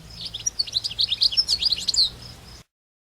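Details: European goldfinch in the wild giving a quick, tinkling twitter of high chirps and short trills over faint background noise.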